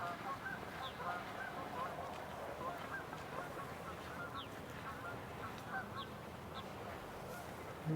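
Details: Canada geese taking off from a marsh on a breeding-season morning: a dense chorus of overlapping nasal honks with no clear rhythm. Brief, high chirps from other birds cut through now and then.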